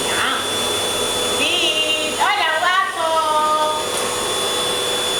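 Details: A pet yellow-crowned amazon gives a brief high squeak, then a burst of rich, falling, warbling notes, all over a steady appliance-like whir.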